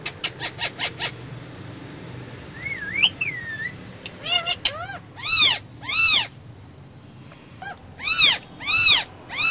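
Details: Parrot in a car giving quick harsh pulses, a brief wavering whistle, then loud drawn-out arched squawks in pairs, against a faint engine drone.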